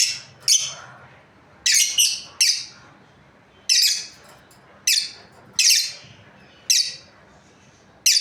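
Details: Lovebirds, a breeding pair, calling with a string of loud shrill chirps, some doubled, repeated irregularly every half second to a second over eight seconds.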